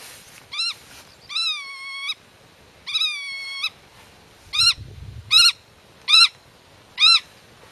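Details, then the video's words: A black-tailed godwit guards its nest and territory while talking with young hidden in the grass. Short arched nasal notes alternate with longer, level, drawn-out calls, roughly seven calls in under eight seconds. "Rycyk w obronie gniazda - Limosa limosa"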